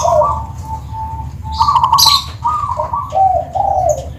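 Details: Zebra dove (perkutut) of the Tuban type with a clear 'crystal' voice sings a run of soft, rounded coos. Steady notes step between two pitches, with a brief burst of high chirping from other birds midway.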